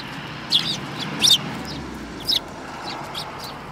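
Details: Sparrows, among them one with a yellow bill, recorded 24 February 2018; a few brief high chirps, two close together then a single one, with softer distant chirps and low hum behind.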